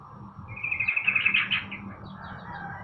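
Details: Sooty-headed bulbul sunned in the morning, delivering a loud, rapid run of sharp, ringing notes that swells and then fades within a second, over a low background drone.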